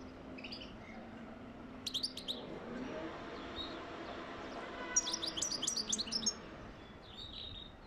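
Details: European goldfinch song, played to encourage mating; two short bursts of rapid, high, tinkling twitter, one near two seconds and a longer run between five and six seconds, with faint scattered chirps over a steady low background hum.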